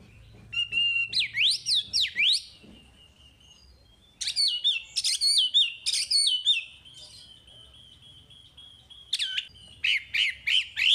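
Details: Chinese hwamei in full lively song for training untamed hwamei: clear steady whistles, rapid zigzag trills, pauses, then fast repeated ringing phrases, with varied loud bursts throughout.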